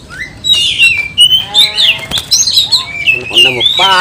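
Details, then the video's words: Oriental magpie-robin in an over-agitated 'kanibal, mbagong, salto' singing style that stirs other magpie-robins to sing. Varied high whistles and chattering phrases slide up and down, with faint human voices underneath. "Kicauan kacer kanibal, mbagong, salto, over emosi bikin kacer lain tambah emosi dan gacor"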